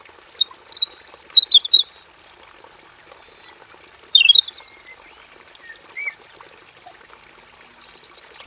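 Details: Robin kept in a simple aviary cage, in full varied song: clusters of rapid high twitters, a falling whistled note, then a further twittering burst after a pause, soft steady hiss in background.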